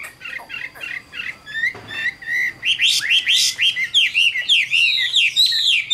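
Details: Caged Chinese hwamei in Vietnam, an adult caught wild, of the 'Tam Hoàng' type with good voice. It opens with a few spaced whistles, then breaks into a loud, fast cascade of looping, slurred phrases that rise and fall continuously.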